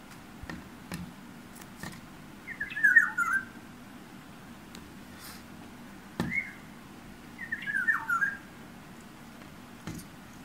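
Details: A yellow bird, later identified as an oriole, sings outside a bedroom window and taps the glass: three short, fluty, warbled whistled phrases a few seconds apart, with sharp tapping clicks and a low indoor hum. Oriole.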